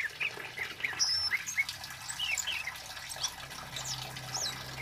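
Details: A male Kemade bird, used as a lure and tutor recording, gives quick, high, squeaky chirps and short whistled slurs in irregular bursts, with a low hum and faint background chatter beneath.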